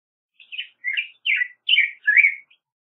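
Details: Five rounded, warbled whistles from a black-headed grosbeak, each note sliding downward before the next begins, in a clean, quiet recording.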